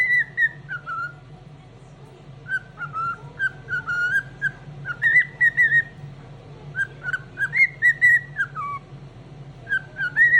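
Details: Pet cockatiel singing happily through the morning: clear whistled notes around mid pitch, short rising and falling phrases repeated in bursts with brief pauses, steady low hum in the background.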